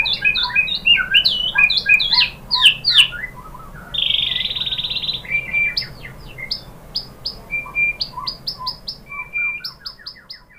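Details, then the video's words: Lure song of a white-rumped shama (murai batu) for training birds to reply: quick varied whistles and chips, a sustained harsh buzzy note, then evenly repeated sharp downslurred notes fading out. "MURAI BATU jadi Gampang NYAUT GACOR BONGKAR MATERI ¦ PANCINGAN MURAI ¦ SHAMA BIRD"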